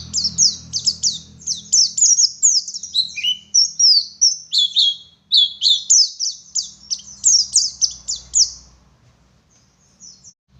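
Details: West Javan Garut-type Oriental white-eye giving a fast, dense 'ngeriwik' chatter of high twittering notes with a few lower dipping whistles, fading out near the end over a low background rumble.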